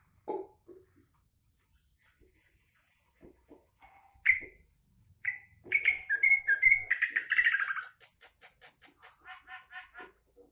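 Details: Green leafbird delivering a trucukan-style fill: isolated sharp chips give way to a loud rolling stream of varied whistles and chatter for about two seconds, then a steady series of soft clicking pulses.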